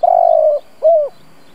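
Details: Decoy spotted dove giving a 'gù siết' style coo, used as a lure to provoke wild doves. One long, level, mellow coo of about half a second is followed by a shorter arched coo, over faint background hiss.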